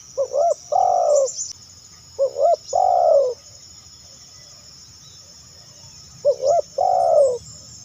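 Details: Spotted dove call for luring other spotted doves: three phrases spaced a few seconds apart. Each has a quick double hoot, then a longer, throaty, rolling coo. A faint high whine continues, with a few brief high chirps.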